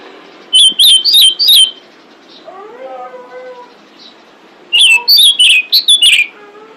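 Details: Female pied bushchat calling to attract males, used as a lure sound: bursts of sharp, high whistled chirps in quick clusters around two seconds long, separated by a quiet gap with faint lower warbling notes.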